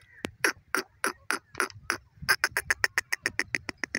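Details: Grey francolin, locally called dakhni or Irani teetar, calling: a series of harsh, clipped notes, first spaced about a quarter second apart, then quickening into a fast, even run, over a faint low rumble.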